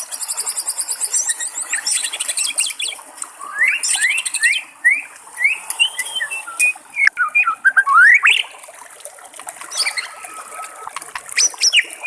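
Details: White-rumped shama in the wild, with trickling water: a varied, rich song of rapid high buzzy trills, falling and rising whistled notes and quick upslurred phrases, delivered in bursts with short pauses.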